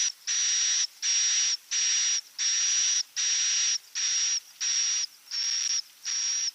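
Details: Edible-nest swiftlet calls played to attract birds to nest: evenly spaced, hissing, high-pitched buzzy bursts with a thin whistle running through each, repeated roughly every 0.7 seconds with clean gaps.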